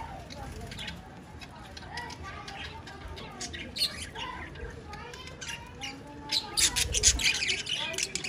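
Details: Pet budgerigars chattering: a busy stream of high chirps, clicks and warbled notes, growing louder and more frantic toward the end, over a low background rumble.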